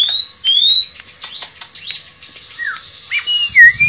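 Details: Shortwing, locally tledekan pring, in nembak and ngerol song: rising whistled notes, quick chips and a falling slurred whistle near the end.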